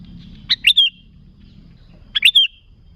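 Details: Lure recording of a sooty-headed bulbul: two bubbly three-note phrases, each ending in a sliding whistled tail, roughly one and a half seconds apart, over quiet low hum.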